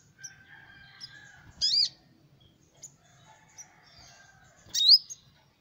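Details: Sunbird (kolibri ninja) song used to lure small birds: two loud, sharp, high squeaky notes about three seconds apart, separated by faint thin high notes over quiet background.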